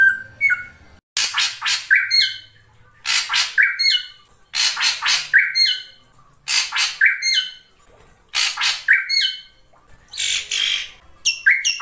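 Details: Ashy drongo giving a rhythmic series of phrases: clusters of three or four harsh buzzy rasps ending in a short flat whistle, phrases repeated roughly every one and a half seconds.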